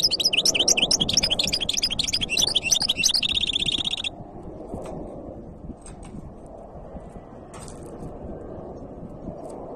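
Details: Goldfinch hybrid song recorded in 2023, opening with rapid high twittering and a brief buzzy trill, then stopping abruptly after four seconds, leaving low background hum with a few faint clicks.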